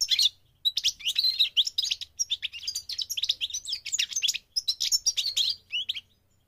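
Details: Lively, unbroken twittering song of a migrating goldfinch: a fast jumble of high chirps, trills and short buzzes running for several seconds before stopping.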